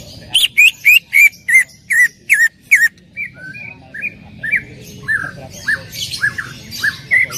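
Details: Greater green leafbird singing to coax another leafbird into song. Loud, bright whistled notes repeat about three per second, each sweeping down, then softer spaced whistles continue over a low rumbling background.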